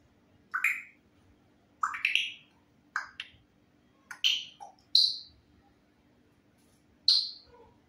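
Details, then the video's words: African grey parrots that talk in Hindi give a loose series of short, rising squawks and chirps, roughly one per second with quiet gaps, some notes sliding sharply upward. "African Grey Parrots Talking in Hindi"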